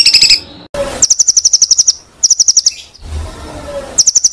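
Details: White-rumped shama tutor material for songbird contests: short bursts of rapid, evenly repeated high piping notes, interrupted by a rough noisy burst and a low wavering tone.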